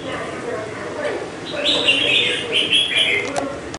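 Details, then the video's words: Caged semi-wild red-whiskered bulbul, five months in captivity: after a quieter opening with human speech, a run of loud, sweet warbled notes follows, repeated in quick succession over constant low hum. "Chào mào mộc dở VIP 5 tháng lồng BỘ KHỦNG HẦU TO"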